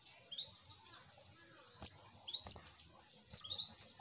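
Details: Little Spiderhunter lure call: faint high twittering, then three sharp, loud chips spaced under a second apart, each followed by a short falling squeak.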